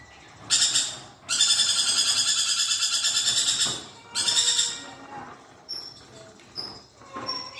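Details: Lorikeet in full, energetic song: short bursts, then a long harsh, rasping high trill pulsing steadily for over two seconds, then a brief burst, followed by faint thin whistles and chirps.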